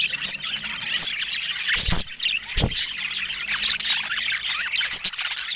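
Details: Continuous high warbling and squawking from budgerigars, with two short, broad rushing noises partway through breaking over the chatter.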